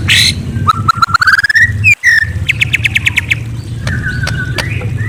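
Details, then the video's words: White-rumped shama at night: a short burst, then a rising whistled glide of quick notes, a sharp whistle, a rapid chirping trill and softer scattered calls, over a low hum. "Murai Bird Serenade: A Night of Enchanting Chirps"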